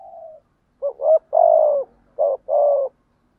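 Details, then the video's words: Spotted dove, male and female, cooing to lure wild rivals in to fight: a soft low coo, then a two-part phrase of hoarse, throaty coos with a dip and a long falling note. "cu gáy thúc gù gáy gọi bổi nghe rất nhanh về cội đấu"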